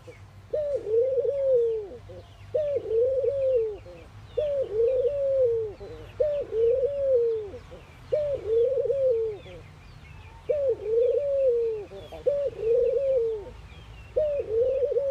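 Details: A ring-necked dove in India coos steadily during morning activity: soft, rolling, slightly rising-then-falling coos about every one and a half seconds, with faint high chirps from other birds behind.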